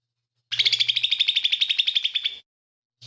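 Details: Lesser green leafbird in full voice, its song including imitations of fighting sparrow, tengkek buto and cililin. A single rapid, even chatter of scratchy notes lasts about two seconds, and a new phrase begins at the end.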